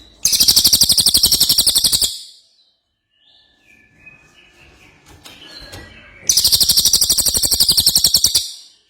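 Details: Two long bursts of ringing, rapidly repeated high notes from an actively singing ashy tailorbird, separated by a few seconds of soft chirps and faint background noise.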